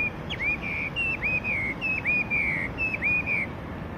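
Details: Yellow-breasted chat singing a string of clear whistled notes, each dipping sharply then levelling, about four a second, over a noisy outdoor background.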